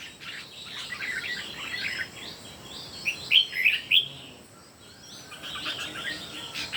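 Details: Three red-whiskered bulbuls in a singing contest; soft jumbled chirping builds to three loud clear whistled notes near the middle, followed by quieter chatter.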